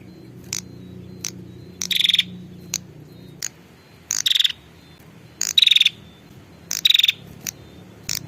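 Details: Female prinia calling for a male, used to lure males in: four short, high, buzzy bursts with whistled notes, about one and a half seconds apart, scattered sharp ticks between them, faint low hum early on.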